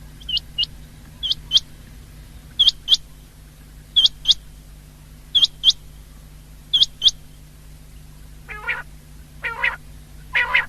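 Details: Common quail recorded 19 February 2024: regular pairs of sharp, high, upward-flicking notes about every one and a half seconds, followed near the end by three harsher, broader, buzzy calls.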